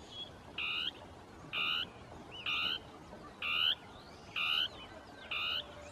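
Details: A Northern tapaculo's territorial song from shrubs, two birds interacting. Six hoarse, buzzy notes in a steady rhythm, each just under a second apart, over low background hiss with faint chirps.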